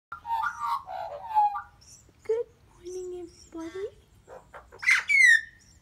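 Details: Family of friendly Australian magpies on a back doorstep in the morning, waiting for a treat, Denmark, Western Australia; warbling varied fluty, gurgling phrases, low then rising and falling, ending in a bright sweeping whistle.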